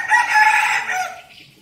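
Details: A captive red junglefowl decoy cock in Bình Phước, Vietnam, gives one short, hoarse crow, strong for about a second and then trailing off, clipped compared with a farmyard rooster's.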